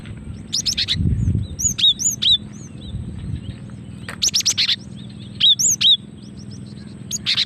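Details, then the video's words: Calls of a female cinereous tit, used as a lure and to provoke singing: clusters of sharp high notes and thin downslurred whistles, arriving in irregular groups a second or two apart, with a soft low rumble early on. "Suara asli gelatik betina untuk pikat dan pancingan"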